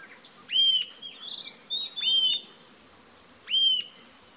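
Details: Rufous-tailed jacamar (Galbula ruficauda) uttering three bright, piercing upslurred whistles about a second and a half apart, with a brief softer twitter between them and a steady high buzzing background.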